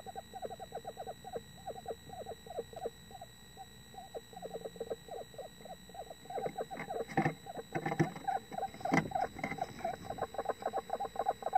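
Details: Male and female Eastern screech owls in a nest box, right by the microphone, "talking" to each other in fast chattering bursts of short, falling mid-pitched notes, nearly four per second, normally too quiet to hear at distance; soft scraping and bumping late on.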